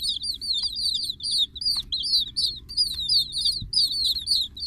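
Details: Several chicken chicks cheeping together, high piercing notes that slide downward, repeated roughly three times a second in uneven bursts over a steady low hum.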